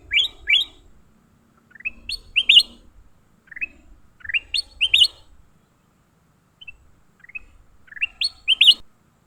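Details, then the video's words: Leafbird during a fight: loud, sharp, upward-slurred chirps in tight clusters of two to four, with pauses of about a second between bursts, over a quiet background. "Tarungan Burung hijau"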